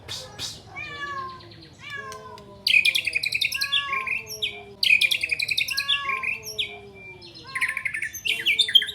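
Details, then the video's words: White-rumped shama in long, clear song packed with imitations of a flycatcher: dense bursts of high chattering and trilled phrases over slow, descending, harmonic-rich whistles, several loud runs. "Murai Batu Bongkar Isian Sikatan Londo Durasi Panjang Suara Jernih"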